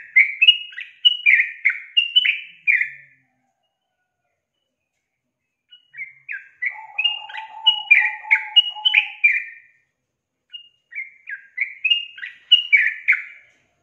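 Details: Female sooty-headed bulbul calling a male: three bursts of lively, slurred, falling chatter notes separated by silences, with a faint steady lower hum under the middle burst.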